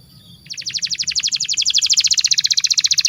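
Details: Canary master song for training young birds: a fast, even, rhythmic trill of bright chipping notes, about seven a second, continuing steadily.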